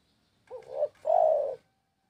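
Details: Spotted dove (Spilopelia chinensis) song: a short wavering low coo, then a longer, steadier, hollow coo a moment later; no other sounds.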